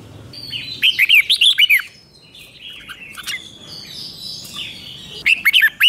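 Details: Red-whiskered bulbul in Thailand singing its five-syllable 'beun 2, beun 3' doubled song: a fast run of ringing warbled notes, softer chirps from other birds, then a second phrase beginning at the end.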